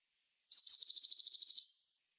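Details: A single Eurasian blue tit song phrase: two sharp, high opening notes followed by a quick, evenly pulsed trill of about ten notes that trails off.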